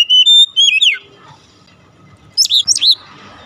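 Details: Oriental magpie-robin song used as a lure for a captive bird: loud, clear whistled phrases, a rising then slurred note, a pause, then two quick down-swooping whistles near the end, in a quiet setting.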